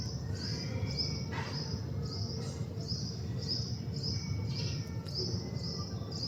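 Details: Male house sparrow perched outdoors while collecting bark and twigs for nesting, giving a steady run of short, high chirps about twice a second, with a low rumble of background noise underneath.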